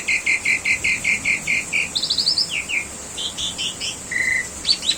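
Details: Asian pied starling master song for training cage birds: a row of repeated burry notes, then a quick fluttering series, downslurred whistles and scattered chirps with gaps between.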